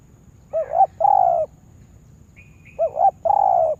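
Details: Spotted dove used as a lure bird for trapping in a yard, cooing twice in matching pairs: a brief rising note followed by a longer, steady, slightly falling coo, with faint higher chirps between phrases.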